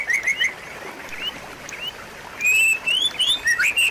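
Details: White-rumped shama singing loud, sweet whistled phrases with rising and falling slurs. Quiet stretches carry softer distant whistles before a strong run of clear notes returns.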